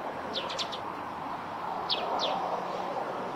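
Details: Eurasian tree sparrow near its nest on a roof, wild, giving short, sharp, falling chirps: a quick cluster of four at the start, then two single notes a little later, over a steady low hum of background noise.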